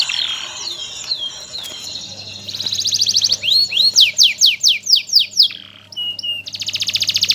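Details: Energetic canary song from a master bird used to teach others, mixing fast rising whistled notes, a run of about eight loud repeated upward-swept chirps, and dense high buzzy rolls over a low electrical hum.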